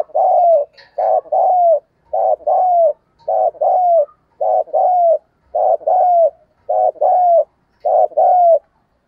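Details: Spotted dove calling to stimulate and lure other doves: a steady series of about eight paired low coos, each pair a short note then a longer, slightly descending one, repeated roughly every second, with a clean, quiet background.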